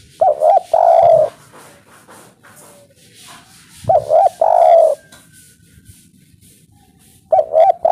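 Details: Spotted dove, local 'kuk 3' voice, played as a lure so birds answer: repeated phrases of two quick soft notes and a longer mellow coo, recurring roughly every three and a half seconds over a quiet background.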